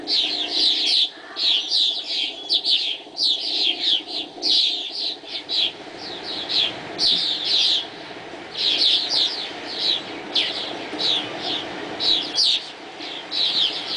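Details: Swallows chattering at sunrise as they fly: long runs of high, squeaky chirps in overlapping bursts, broken by short pauses.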